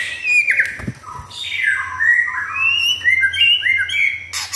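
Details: Home-kept white-rumped shama, never in a contest, in full lively song; varied fluting whistles rising and falling in quick phrases, with a knock and a low background hum, ending in a harsh burst.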